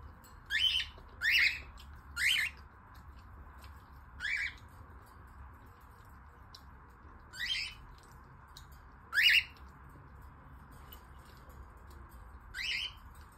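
A cockatiel gives harsh, raspy squawks in short bursts, an aggressive fighting-mode call.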